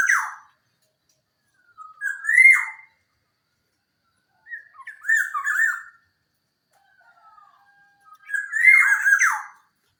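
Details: Black-naped oriole, local Java type, singing clearly to draw silent birds into song; fluty, slurred phrases with raspy endings repeat about every three seconds, separated by short silences.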